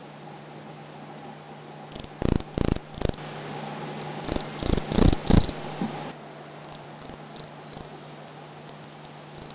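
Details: An Asian stubtail sings in June 2009 in Aomori. Its extremely high, thin, insect-like notes, heard as "shii-shii" or "biri-biri" depending on direction, repeat about three times a second and swell louder in runs, with a few dull knocks and a low hum.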